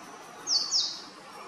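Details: Male purple sunbird calling, a quick pair of high, thin, downward-sweeping notes with a buzzy tail, over a quiet background hum.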